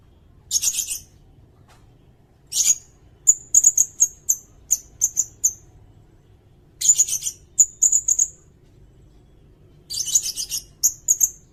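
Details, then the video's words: Sirindet singing for songbird training and bird trapping, with repeated groups of scratchy high chatter mixed with bright, sharp chips in quick series, separated by short pauses. "Suara burung sirindet buat masteran bagus juga buat pikat"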